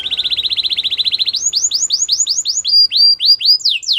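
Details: Canary song that opens with a very rapid, even rattle of clipped notes, then changes to slower, louder, downward-slurred whistles repeated about four times a second at two alternating pitch levels.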